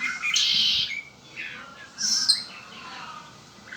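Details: A kept Red-winged blackbird sings two harsh, buzzy trills about one and a half seconds apart, each followed by softer sliding whistled notes.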